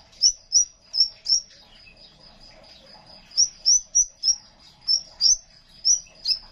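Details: ['Crimson sunbird in vigorous song, for training silent young songbirds. Bright, sharply rising high chirps come in runs of four or five, separated by a short pause, over a steady high drone.']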